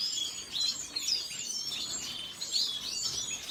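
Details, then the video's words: Red siskin song of fast, thin chirps and little sweeping notes, jumbled together in a continuous high twitter. "سیسکنی سور سسكن فنزويلي احمر red siskin"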